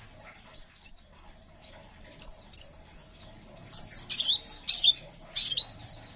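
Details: ['Crimson sunbird, an active singer offered as a lure and training recording. Evenly spaced, high, rising chirps turn into broader, buzzier, scratchier bursts toward the end, over a steady thin high tone.']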